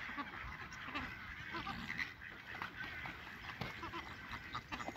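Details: Many Chilean flamingos calling together at WWT Slimbridge while performing courtship display in March 2020, a busy wall of overlapping honking and chattering notes with some louder individual calls rising above the chorus.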